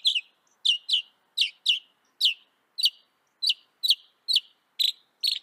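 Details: Northern mockingbird of North America singing: sharp, downslurred chirping notes repeated about twice per second, each a bright clipped syllable, with quiet background between notes.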